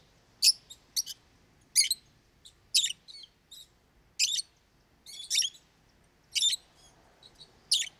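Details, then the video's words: Lovebird parrot singing: sharp, shrill chirps and short squeaky bursts spaced unevenly, roughly one every second, with faint twittering between them in a quiet room. "Как поёт неразлучник"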